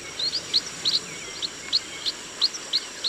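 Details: Chestnut munia in a rice field giving short, thin, high-pitched peeps, repeated several times per second in an uneven rhythm over a faint steady background hiss.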